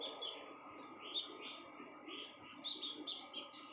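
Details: Red-whiskered bulbul female in breeding condition, vocally active: scattered bright chirps and brief slurred notes, some clustered near the start and a quick run of four or five toward the end, with a steady background tone throughout.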